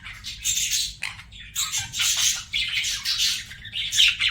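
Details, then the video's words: Budgie singing a busy warbling stream of scratchy chirps and squeaky notes, nearly unbroken over four seconds, with a clear whistled note near the end. "BUDGIE SINGING SOUNDS"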